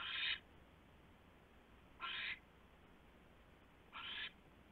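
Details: After midnight on 27 January 2016, an owl at its nest while a big rat arrives: three harsh, breathy screeches spaced about two seconds apart, the first loudest, with quiet gaps between.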